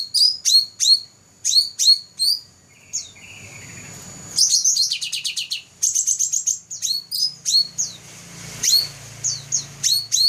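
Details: First-place champion black-throated laughingthrush from 2014 singing steadily: rapid runs of piercing high chirps, about three per second, with fast trilled bursts and brief lower chatter, over a faint background hum.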